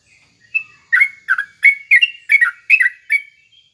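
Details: Trucuk bulbul song played as morning therapy so other bulbuls sing back: about eight loud, bubbly, slurred notes in a lively, steady sequence, each a short throaty phrase.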